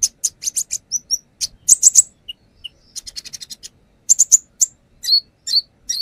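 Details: Brown-throated sunbird song used as a lure, with a bird showing off its mimicked repertoire: rapid high sharp chips in bursts, a few short whistled notes between them, and buzzy descending notes near the end.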